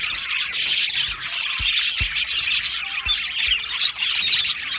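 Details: Colony of Australian budgies chirping in an aviary, a thick overlapping chatter of high squeaks and chirps, with a few brief sharp clicks or knocks beneath.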